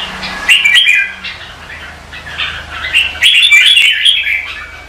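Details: Red-whiskered bulbul practising competitive song in the morning: short, bright warbled phrases, quieter at first and then louder and fuller during the last two seconds, over a faint low hum.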